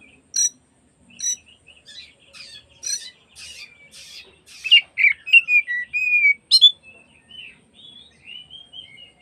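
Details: Oriental magpie-robin song meant to provoke other magpie-robins into fanning their tails, for afternoon use: scattered sharp high notes and buzzy bursts, then clearer whistled slurs and drawn-out whistles, varied and irregular.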